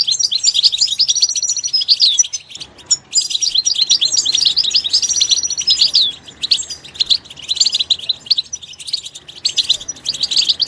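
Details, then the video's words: Goldfinch in its natural environment pouring out continuous bright twittering with a few drawn-out whistled notes, briefly broken by short gaps. "soothing nature sounds of the Goldfinch will make your bird sing"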